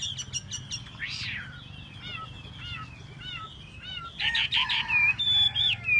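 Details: Chinese hwamei tail-dancing, with soft thin notes and one rising-falling squeal at first, then loud, rich whistled phrases and harsher notes in the final two seconds.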